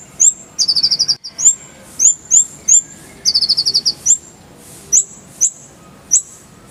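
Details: Oriental white-eye tutoring song mixing brisk high trills of six or seven notes with single bright, upward-flicking chirps, delivered in a lively, uneven rhythm.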